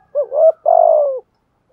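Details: Spotted dove decoy bird cooing in the thúc gù style, with a giọng thổ voice: a short low coo, then a longer, steady, slightly falling coo, both mellow and close, with no other sounds.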